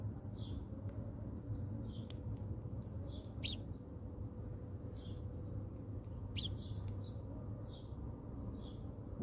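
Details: Chirping house sparrows visiting a bird feeder in South Africa. Brief high chirps come in loose series, mixed with a few sharp clicks, over a constant low-pitched background drone.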